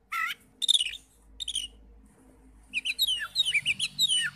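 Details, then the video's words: Oriental magpie-robin singing, used as a lure to stir other magpie-robins into answering with full song: scattered high whistles and buzzy notes, then a rapid run of varied chirps and slurred whistles rising and falling. "PANCINGAN NAIKAN EMOSI KACER 100% IKUT NYAUT NGEPLONG"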